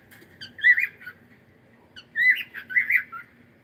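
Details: Softer squawking from a pet cockatiel: two raspy, wavering bursts about a second and a half apart in a quiet room.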